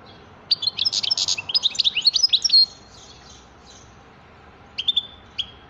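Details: Goldfinch pouring out a dense, jangling twitter of high chirps and slurs for about two seconds, then near silence, then a few clear whistled notes near the end.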